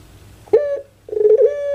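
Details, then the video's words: Pelung chicken crowing, kept and cared for by its owner in Java, Indonesia: a harsh opening burst, a short break, then a steady, ringing tone held over half a second. "KONSER ANGGUNGAN PUTER PELUNG"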